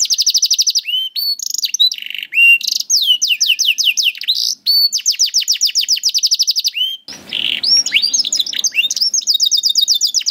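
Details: Canary song used as a master recording to train young canaries and reluctant singers: fast trills of rising and falling high notes, repeated whistled sweeps and rapid buzzy rolls, changing phrase every second or so, a brief harsh rasp near the end.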